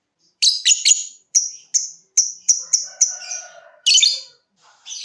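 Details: Lovebird, a cage bird, in ticking mode: quick strings of sharp high ticks that draw closer together, with harsh bursts between, sung to coax other lovebirds into trilling; faint lower chatter in the background.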